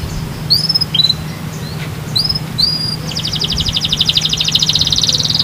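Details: Canary song played to get other birds singing: a few scattered thin whistled notes, then a long rapid high trill rolling on, with a constant low hum underneath.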